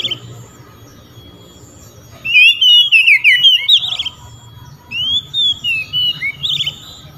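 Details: Oriental magpie-robin singing loudly to challenge rival magpie-robins, which answer back. Two bursts of rich, varied whistled phrases with sliding and warbling notes. The first lasts about two seconds, and the second follows a short pause, over a faint low hum.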